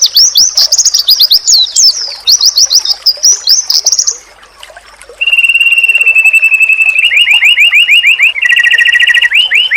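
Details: White-eye song used as training audio for caged songbirds, meant to make rival white-eyes answer at once: rapid high twittering warbles with chattering sweeps, a brief lull, then fast even trills of repeated upswept notes.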